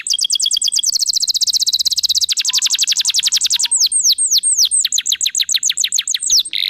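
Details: A persistently singing canary showing off its song repertoire to prompt other canaries to sing: a long, very fast high trill that slows into separate rising chirps, then falling hooked whistles and a short buzzy ending.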